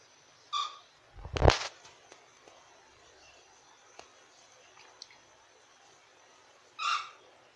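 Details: Two brief, harsh calls from cockatiels eating grass seeds, several seconds apart, with a loud thump between them.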